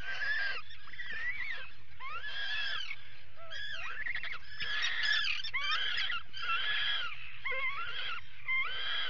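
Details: Atlantic puffins at a nesting burrow during an attack, 19 July 2019: dense, harsh, overlapping wailing calls, about one per second, irregular, with a steady low hum.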